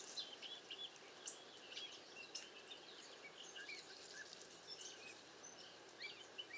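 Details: A flock of cowbirds sheltering in bad weather keeps up a dense stream of overlapping high chirps and thin squeaky whistles against a steady hiss of strong wind.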